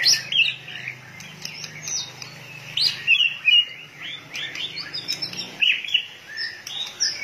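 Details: White-rumped shama in heated condition, tail flicking like a machine, sings fast varied phrases of bright whistles and clipped chips, about three notes a second, over a faint low hum.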